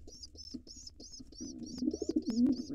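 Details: Wild pigeons at a nest box where an intruder male attacks helpless nestlings to take it over. A steady series of high thin peeps repeats about three times a second, and low throaty cooing swells up in the second half.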